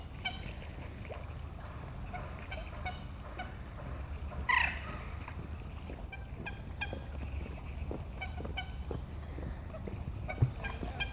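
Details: Two common moorhens fighting seriously on Heslington West lakes: a busy run of short, sharp, clucking notes and splashy bursts, with one loud harsh outburst near the middle, over a steady low rumble.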